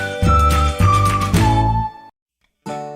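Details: Loud bright music of sustained tonal notes and bass beats breaks off into a brief silence, then resumes, with no animal sound.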